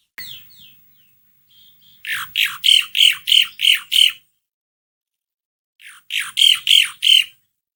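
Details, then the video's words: Asian pied starling (jalak suren), a recording played to prompt a bird to sing: soft opening notes, then a rapid run of seven harsh squawks about three per second, a pause, and another burst of five. "Kicauan burung jalak suren gacor"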